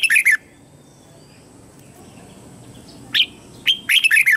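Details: Red-whiskered bulbul kept as a decoy, calling wild birds to come and fight: loud, fast phrases of three to five swooping, warbled notes separated by about three seconds of quiet, faint other birds behind.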